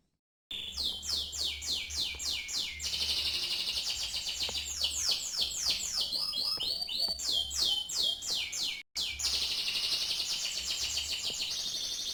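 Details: Long continuous canary song of rapid descending sweeps in pulsing bursts, stretches of dense high trilling, a brief cut, then renewed rolling notes over a low hum.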